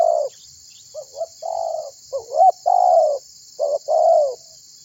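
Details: Spotted dove, known locally as tekukur, calling to prompt other birds to sing; deep mellow coo phrases in quick sequence, short hiccup notes followed by longer drawn-out coos, under a continuous high buzzing hiss.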